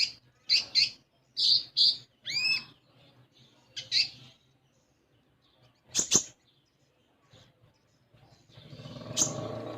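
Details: Untrained captive common iora giving a series of loud, high, sharp chirps about half a second apart, then a rising whistle and a few scattered notes, ending in a rustling noise.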